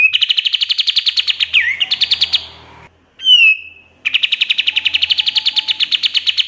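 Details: Rapid machine-gun trill of a pied triller, a song used to train other songbirds. The steady fast notes pause around a brief downslurred whistle, then the trill resumes at the same even pace.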